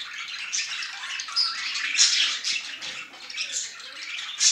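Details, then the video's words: Affectionate male budgerigar chattering in a steady, busy stream of high, raspy chirrups and squeaky notes with brief louder peaks, sustained without break throughout. "проявление симпатии самца волнистика"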